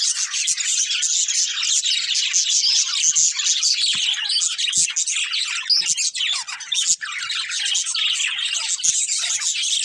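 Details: Nonstop budgerigar chatter from a breeding pair: a thick, buzzy weave of high chirps, squeaks and twitters running for ten seconds with barely a break.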